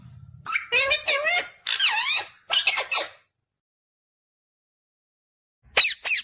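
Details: Ringneck green parrot chattering a quick series of wavering, nasal speech-like syllables, then a silent gap and two sharp high squawks at the end.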